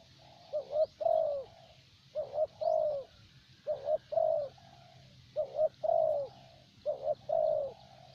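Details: Decoy spotted dove of the thổ bầu type from Vietnam repeats a regular cooing phrase about every 1.5 seconds: two quick notes then a longer warbling coo, against a steady low hum.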